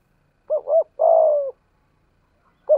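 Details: Caged decoy spotted dove with a 'thổ' style voice: two quick rounded coos followed by a long, steady, falling coo, with a new phrase beginning at the end.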